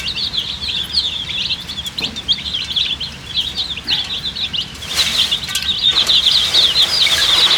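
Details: A crowd of colourful chicks, thirsty and waiting for drinking water, giving rapid high chirps at about three or four a second, with a brief rustling burst midway before the chorus grows steadier.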